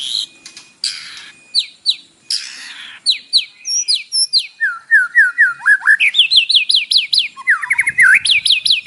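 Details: White-rumped shama pouring out a morning song studded with imitated fill-ins, aimed at provoking a caged bird: harsh bursts and scattered chips, then accelerating series of looping whistled notes repeated rapidly and rising in pitch.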